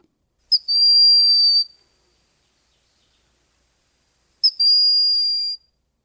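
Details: Broad-winged Hawk, a small, quiet forest hawk, giving its non-imposing, un-hawk-like call: two thin, high, drawn-out whistles, each opening with a brief pip and held about a second, spaced four seconds apart.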